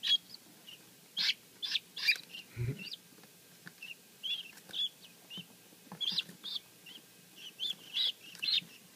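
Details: Helmeted guineafowl keets hatched the day before peep in a steady run of high, thin cheeps, several overlapping, about two or three a second, with a soft thump partway through.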